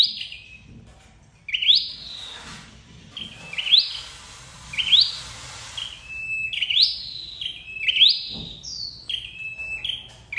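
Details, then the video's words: Flowerpecker lure call for trapping: high level-then-rising notes with bright upward flicks, repeated irregularly. A burst of broad hissing noise covers the early part. "Tiếng chim sâu đầu đỏ đi bẫy"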